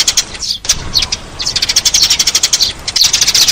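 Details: Eurasian tree sparrow used as a lure, giving excited high chirps that build into a fast continuous chatter.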